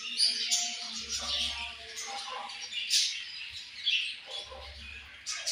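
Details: Several budgies chattering with rapid high twittering and scratchy warbled notes, sharp chirps standing out now and then over a soft low hum.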